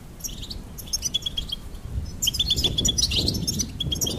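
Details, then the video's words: Goldfinch chips and twitters in quick groups of short, high notes, with a pause near two seconds before a denser, louder run of repeated chirps over low background rumble. "Charming Goldfinch Peep"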